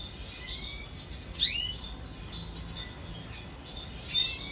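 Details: A pet red siskin recorded in 2022 sings two short, high, sizzling twitter bursts about three seconds apart, separated by a quiet stretch with only soft background hum.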